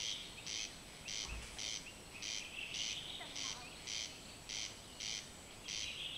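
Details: Corn crake singing at night, unseen: a long run of harsh, rasping, evenly spaced bursts, roughly two per second, mechanical and monotonous, over steady background hiss with a brief low thump.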